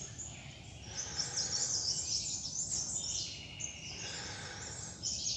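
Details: Forest birds in the Himalayan foothills of Nepal's Mahabharata Range, heard on a December forest walk. A continuous high-pitched twittering chorus of many birds, densest between one and three seconds, over faint low environmental noise.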